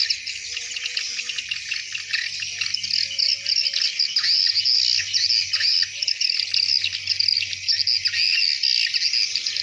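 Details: At dusk, hundreds of swiftlets fly into their nest site, filling the air with an unbroken, buzzy wash of rapid high-pitched chirps, overlapping and fairly even in loudness throughout.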